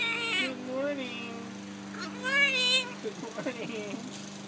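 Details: Blue-and-gold macaw talking and jabbering on a summer day; hoarse voice-like syllables with rising and falling tones, a few harsh squawky notes near the end, over a steady low hum.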